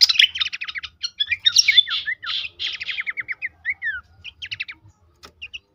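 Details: Horsfield's babbler vocalizing, used as a stimulus recording so caged birds sing more. A busy run of sharp chirps and slurred whistles starts loud, then thins into spaced single down-sweeping notes toward the end.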